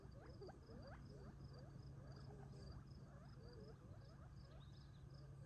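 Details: Gambel's quail eating at dusk near Tularosa Creek in July before retreating for the night; many overlapping quick rising chirps from several birds, busiest early then thinning, over constant low hum and a pulsing high insect trill.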